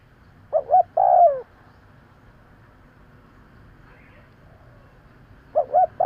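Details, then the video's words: Luring call of a spotted dove: a double hoot and a long falling coo, then a quiet pause of about four seconds before the next pair of short hoots begins. "Tiếng chim cu gáy kèm kích bổi nhanh nổi - Suara yang menarik suara Tekukur Enak Didengar Buat Pikat"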